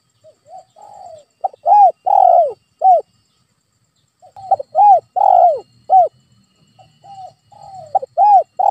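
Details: Spotted dove luring call for a pet dove that will not call: a quiet intro, then a rhythmic phrase of loud arched coos with one long central note, repeated twice after a brief silence.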